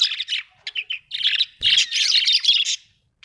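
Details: A household budgie chorus of rapid, gritty warbled chirps, starting in short separate bursts and merging into a loud unbroken chatter near the end.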